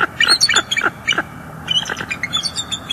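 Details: Bald eagles on a northeast Florida live nest camera, 18 December 2022, while an adult female drives juvenile eagles away. A rapid run of sharp, high piping notes repeats in quick succession, then a second, softer chattering series follows.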